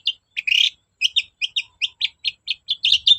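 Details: Long-tailed shrike singing to provoke reluctant birds into answering: a clear series of short, bright chirps repeated at a fast, fairly even pace, with occasional doubled notes.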